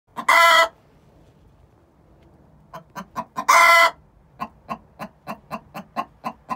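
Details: Two six-month-old hens giving the egg song before laying: a loud, harsh drawn-out squawk, a pause, then rapid clucks building into a second squawk, followed by a steady run of sharp clucks about four per second.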